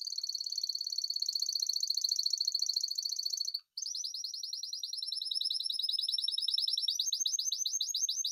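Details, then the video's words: A Spanish timbrado canary sings a long, continuous, rapid high trill. After a brief pause it resumes with a rolling trill that grows slightly faster and rises toward the end. "Timbrado تغريد جميل الكناري تيمرادو الإسباني"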